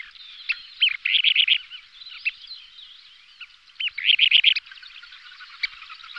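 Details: A pair of Kentish plovers giving calls in aerial display: short fast trilled bursts of high bright notes, four or five per burst, with scattered single chips and faint background twittering.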